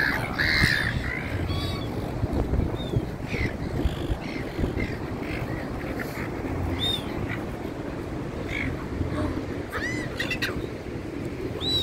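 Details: A flock of gulls near a diner at dinner time, giving scattered short harsh calls and a few rising wailing notes over a steady low rumble of background noise.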